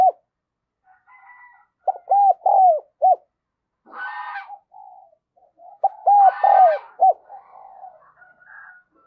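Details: Spotted dove kept as a decoy, calling to lure wild doves; two four-note phrases of clear arched coos with soft murmuring notes between, plus brief rustling or flapping noises in the background.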